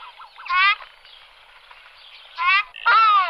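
Ruddy shelduck giving loud nasal honking calls, a short burst, a pause, then two more harsh trumpeting honks close together, over faint background chatter.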